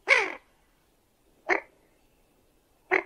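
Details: Common goldeneye uttering three brief, hoarse, downward-sliding calls, roughly one every one and a half seconds, against a quiet background.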